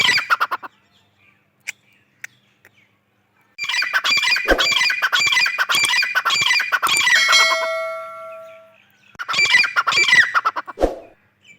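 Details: Grey francolin calling during the breeding season, with a female voice named: loud, harsh, squawking phrases repeated in rapid bursts, a pause, then a second burst, with a few steady tonal lines fading near the end.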